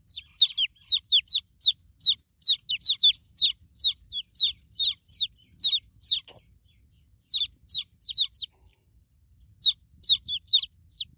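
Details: Chicken chicks, just hatched, calling for the broody hen: long runs of rapid high peeps that each drop in pitch, broken by two brief silences.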